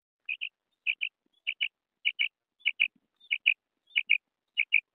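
A female quail gives short, high, clipped double notes, about one pair every half second, steady and otherwise alone in a quiet background.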